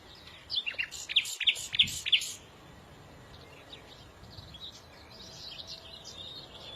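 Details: Small bird giving a burst of loud, sharp chirps in quick succession, then fading to faint distant twitters against steady background noise.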